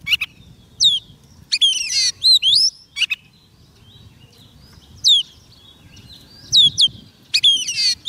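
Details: White-rumped shama singing to call wild birds: short bursts of clear whistled notes, some rising and some falling sharply, in separate phrases with pauses of one to two seconds between them over a quiet background.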